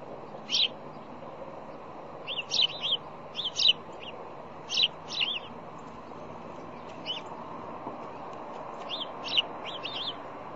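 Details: Bald eagle on nest camera at the Decorah, Iowa fish hatchery, morning of 1 February 2010, amid bowl digging and wing slams; thin piping chirps grouped in quick doublets and triplets, spaced irregularly, with constant background hum.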